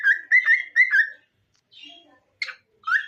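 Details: Singing cockatiel: three loud rising whistled notes in a quick row, a pause with a soft murmur, then a short harsh note and another rising whistle.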